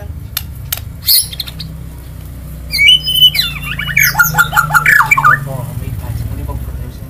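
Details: Singing murai, a songbird kept by bird fans, delivering a burst of high sharp whistles followed by a tumbling series of descending squeaky notes, over a low background drone.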